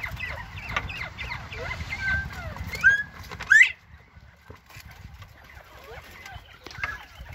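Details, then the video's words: Northern bobwhite quail chattering with soft slurred chirps, then two loud, clear rising whistles in quick succession, followed by quieter curved notes against faint low noise. "bobwhite quail chatting it up"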